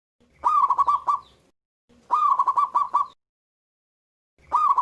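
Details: Loud song of a local zebra dove: two complete rolling coo phrases of quick, pulsing notes, with the start of a third, repeated roughly every two seconds with quiet gaps between.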